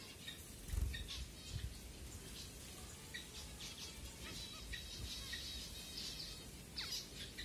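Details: Finches at feeding time in Kumarapuram, Thoppur, Kanyakumari, Tamil Nadu, India, filmed on a Redmi Note 7 phone: scattered high, short chirps tumbling irregularly over a soft low rumble, with a few thumps.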